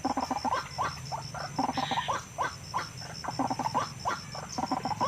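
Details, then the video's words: White-breasted waterhen call recorded in the wild, used as a lure recording to attract waterhens for trapping: rapid series of short, hoarse, croaking notes in an irregular chatter, with a steady faint electronic whine behind. "Suara Ruak ruak yg ampuh memanggil dgn cepat ruak ruak langsung datang"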